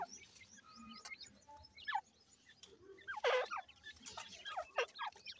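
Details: Grey francolin hen feeding her chicks, breeding season: irregular sharp descending chirps in brief clusters, some double-noted, over a low background murmur and faint high tones.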